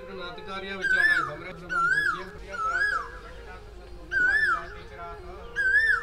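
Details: Asian koel (Eudynamys scolopaceus) calling live at Uddhav Kund, Vrindavan (Braj), under a cloudy sky: five loud, clear whistled notes, each swelling then sliding down, repeated about every 1.5 seconds over soft murmuring voices.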